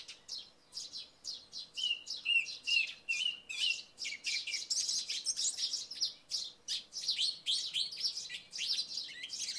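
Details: After rain in the night, a song thrush sings in early morning: rapid repeated chirps, with a run of repeated whistled notes sliding up and down early on, then dense high twittering mixed with sparrows' chirping.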